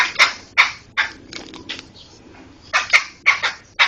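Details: Tutor recording of a laughingthrush for teaching songbirds: scratchy, harsh chattering notes repeated about every third of a second, then softer buzzy sounds, then another quick series of rough bursts.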